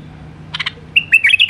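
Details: Wild Iraqi White-eared bulbul sings: three quick harsh notes, then a bright run of liquid, warbling whistles around mid-high pitch, with a faint low hum beneath.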